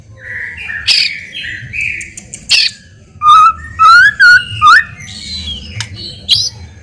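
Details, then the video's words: White-rumped shama song used as a lure to provoke a reply: soft warbled notes, a harsh burst, then loud clear rising whistles repeated several times. "PANCINGAN MURAI BATU GACOR CEPAT RESPON LANGSUNG BUNYI"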